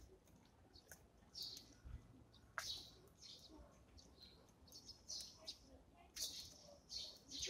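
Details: Morning feeding of Eurasian tree sparrows, with sharp high chirps scattered through the scene, some louder double notes, and faint tapping and rustling between calls.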